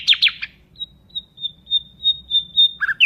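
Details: Nightingale giving a few fast, harsh chirps, then a long, steady, high pure whistle that pulses in strength for about two seconds, closing with a sharp slurred note.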